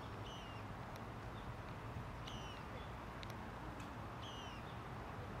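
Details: In Tivoli Landscape Park, Ljubljana, on 21 August 2023, a common moorhen gives three short, sharp, slightly falling calls, about two seconds apart, over a steady low rumble of distant traffic.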